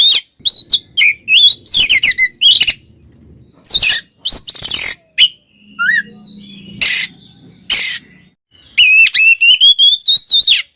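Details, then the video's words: Oriental magpie-robin twins singing ngeplong to stir silent magpie-robins into song; bursts of scratchy, buzzy notes alternating with wavering whistles and rapid chattering trills, a faint low hum in the middle. "suara burung Kacer kembar NGEPLONG bikin Kacer bisu ikutan panas"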